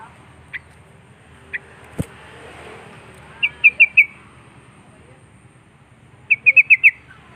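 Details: Sooty-headed bulbul calling out rival birds: scattered single chirps, a sharp click, then two quick bursts of four or five bright, clipped notes in rapid succession, separated by a few seconds of quiet.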